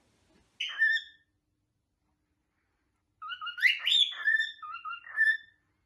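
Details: A pet cockatiel sings a string of bright whistled notes, rising and falling, with warbled slurs between phrases. Singing is mostly done by males and is a territorial display, sung for a mate or for attention.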